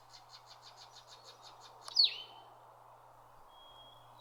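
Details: Blue-headed vireo (Vireo solitarius) calling in northern Canadian woods in July: a quick even chatter of high notes, then one loud falling note and a thin steady whistle, over a soft rushing background hiss.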